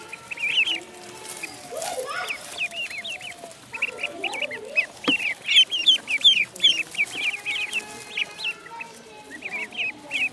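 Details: Ducklings in a pond peeping in quick, uneven bursts of high, down-slurred notes, with softer lower murmuring and rustling underneath.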